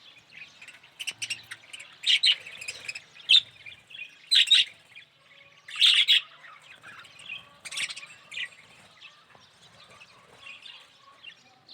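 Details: A yellow budgerigar gives irregular loud squawky chirps every second or two, between soft warbled chatter and thin whistles.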